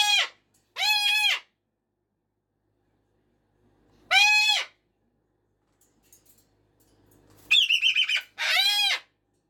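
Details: Captive cockatoo at early morning or early evening, giving drawn-out raspy screams with a few seconds of quiet between them, then a quick burst of buzzy chattering squawks leading straight into another scream.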